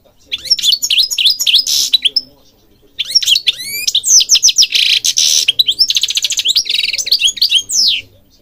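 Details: European goldfinch singing, recorded in Morocco to train birds; long runs of fast, high twittering with sweeping slurs, buzzy rattles and trills, broken by a short pause near the start.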